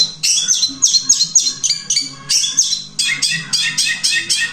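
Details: Long-tailed shrike singing in the one-breath, three-tune style; rapid bright whistled and chattering phrases repeated about four times a second, changing pattern partway through, over a low steady hum.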